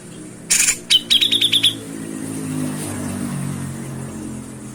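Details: A grey-cheeked bulbul from Bantul, Yogyakarta, opens with a burst of harsh noise, then gives a fast string of about seven clipped, ringing notes. Quiet rumbling background follows.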